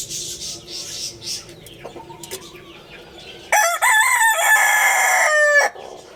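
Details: A rooster gives a single strong crow lasting about two seconds, rising then held and dropping at the finish, after a quiet stretch with faint chirps and hum.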